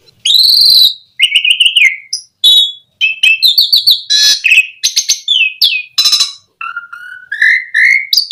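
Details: Asian pied starling singing, used to provoke other starlings into song: a varied, loud run of clear whistles, sliding notes, buzzy chatters and rapid chirps, ending with lower repeated whistled phrases.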